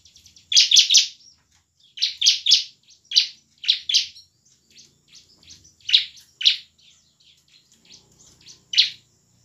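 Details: Bar-winged prinia singing gacor, a lure for lazy birds to start singing and fighting; tight clusters of three loud sharp notes, then spaced single chips and soft twitter, low hum near the end.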